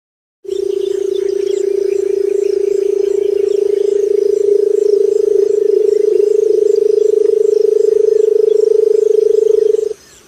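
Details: Barred buttonquail giving a long, steady, low humming drone, finely pulsed, held unbroken for about nine seconds before it stops abruptly. Faint high ticking sounds in the background.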